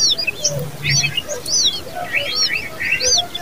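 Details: Babies of the common babbler calling for food, a busy stream of thin arched chirps, several birds at once, over faint low cooing notes.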